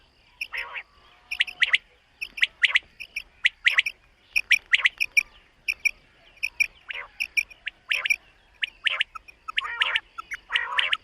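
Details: Common quail in a summer meadow at morning, giving crisp, sharp notes in short clusters of two or three. The clusters repeat about once a second, with a few softer, lower rasping notes mixed in.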